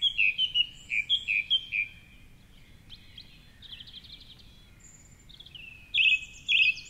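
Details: Pre-dawn song of a male song thrush from a tall tree near the Curragheen River in Cork City, microphone on a rock below; quick paired notes repeated several times, a quieter gap, then two loud repeated phrases.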